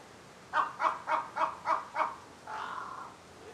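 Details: Crow that flew into a Humboldt penguin enclosure, calling persistently toward the penguins: six quick hoarse caws in a steady run, then one longer drawn-out rasping note.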